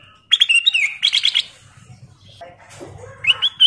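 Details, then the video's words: Kutilang emas (sooty-headed bulbul) lure song for prompting other birds: a fast string of clear, liquid whistles sliding up and down, a quieter gap with softer notes, then a bright rising whistle at the end. "KICAU BURUNG KUTILANG EMAS GACOR SUARA KRISTAL JERNIH"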